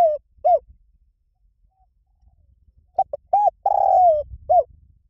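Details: Spotted dove cooing in the 'Liu Tan' style for luring birds to coo in reply: the tail of one phrase, a quiet pause, then a complete phrase of short notes, a long falling coo and an end note, over a soft low hum.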